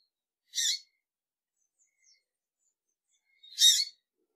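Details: Female double-collared seedeater (Sporophila caerulescens) gives two short, harsh, high chips about three seconds apart, with silence between.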